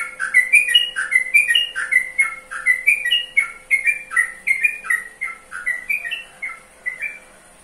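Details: Sooty-headed bulbul singing a long run of brief whistled notes in paired and grouped phrases, bright and chirpy, fading gradually toward the end over a low constant background hum.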